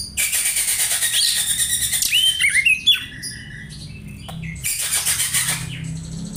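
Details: Kacer, the oriental magpie-robin, copying sparrow calls for tutoring other birds: rapid high chirping trills lead into clear whistled upslurs and downslurs, then quieter chattering bursts, over a constant low hum of passing traffic.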